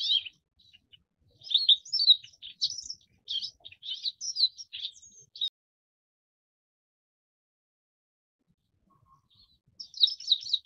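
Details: Forest wagtail twittering in high, rapid, irregular chirps for about five seconds, then near silence, before another quick chattering burst at the end.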